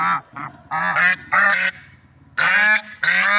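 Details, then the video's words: Swan honks in nature: loud, brassy notes, some with a rising inflection, given in irregular groups separated by brief pauses. "Funny Sounds and Noises of Lovebird Swans in Nature"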